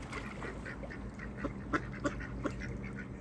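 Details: Village ducks in Flintshire, North Wales, crowding hungrily for feed on a cold evening, giving a quick run of short, nasal quacks, several overlapping, over soft background rustle.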